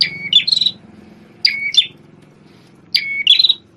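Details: A constantly singing red-headed prenjak tamu prinia, formerly a shama tutor, delivers three phrases about 1.5 seconds apart, each a high sharp start, a flat whistle, then a crackling buzzy trill, with soft low background noise.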